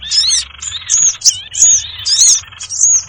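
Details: Sirtu bird lure for catching small birds: bright high whistled notes and chevron chirps repeated in bursts about every half second over steady twittering.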